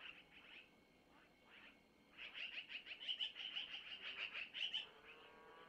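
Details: Owlets of long-eared owl being fed by their mother at a nest, Missoula, early morning of 25 April 2024; a quick run of sharp, high squeaks repeated roughly three times per second after a few softer notes.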